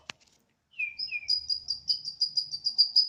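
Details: Home-kept Borneo White-rumped shama singing spiritedly on a terrace, siren-like. A click, two falling whistles, then a steady series of very high, thin repeated notes about five per second.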